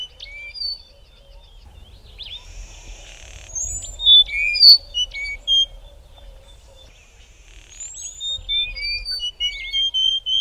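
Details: A pair of dark-backed weavers near Port Alfred sing a synchronised duet in clear whistles and wheezy slurred notes, rising and falling, closely interwoven at a lively pace, with a faint low rumble behind.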